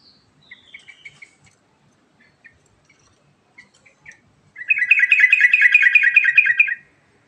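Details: Yellow-vented bulbul performing rolling 'ngerol' song: sparse short chirps and whistles, then a long, loud, fast trill of repeated notes lasting about two seconds.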